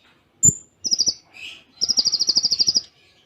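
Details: ['Kolibri Ninja singing a Cililin-style imitation song with close pauses; a sharp high whistle, a short quick trill, a soft buzzy note, then a longer run of about fifteen rapid, evenly pulsed high notes.']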